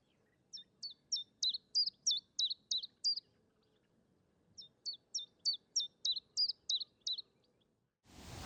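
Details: Common chiffchaff song: two runs of high, even notes alternating up and down, about three per second, with a brief pause between runs and a burst of noise at the end.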